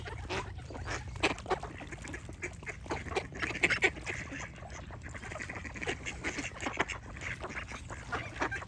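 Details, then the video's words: Ducks chattering with rapid, harsh quacks in a continuous overlapping jumble, a louder cluster of calls around the middle, steady low hum in the background. "Relaxing Duck Quack Sound Effects"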